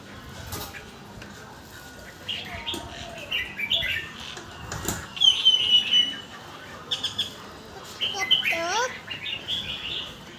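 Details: A caged red-whiskered bulbul sings rapid chains of clear, warbling whistled notes, with a thin descending whistle from another bird near the end and light background clatter.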